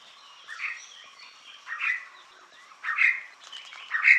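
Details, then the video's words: Red spurfowl (Galloperdix spadicea), known in Marathi as Kokatri, giving its typical call: four short, harsh, rasping bursts about a second apart, each rising out of a quiet background with faint high buzzing. "Red spurfowl (Galloperdix spadicea) calling - Typical call of red spurfowl"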